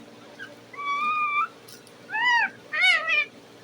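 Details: Talking parrot giving three separate harmonic calls: a level, steady tone, then an arched call rising and falling, then a brighter, rougher call, each about half a second long with pauses between.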